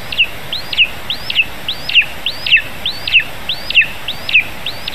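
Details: Nest-camera recording from Zemgale, Latvia, 15 July 2019, late morning, of a lesser spotted eagle nestling being fed a vole: high hooked squeals that rise then drop sharply, repeated steadily nearly twice a second against faint hiss.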